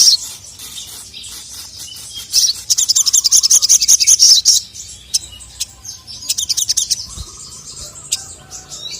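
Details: Sogon, a songbird kept by hobbyists, with a female calling a male who answers agitated; a fast burst of high, sharp chirps comes mid-clip, followed by softer scattered tweets and a faint lower whistle.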